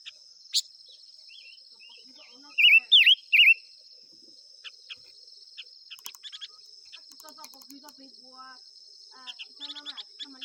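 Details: Five-coloured bird song: three loud, bright warbled notes close together near the middle, surrounded by scattered faint chirps and clicks, with a constant high-pitched insect drone throughout.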